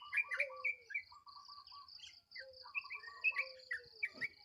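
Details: Sooty-headed bulbul alarm calls at dawn: busy, overlapping chattering notes and short rising whistles, some fast bubbling phrases, over a steady high buzzing drone.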